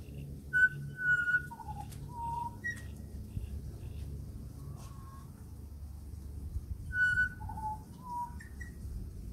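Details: Pied butcherbird in Australia, a regular visitor at a house, gives melodious piping phrases of pure whistles stepping down in pitch then rising again; the phrase is repeated about six seconds later, with faint background hum.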